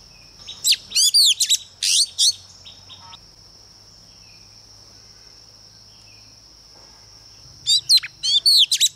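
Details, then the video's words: Female Oriental magpie-robin singing to provoke males: a short run of sharp, sliding whistles, several seconds with only a constant high whine, then another brisk cluster of whistled notes. "CHOÈ THAN MÁI MỒI HÓT KÍCH TRỐNG"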